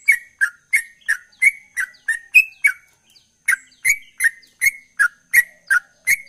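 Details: Sooty-headed bulbul singing as a gacor trucukan ropel: a quick run of loud whistled notes rising to a higher one, a brief half-second silence, then the steady three-per-second pattern continuing.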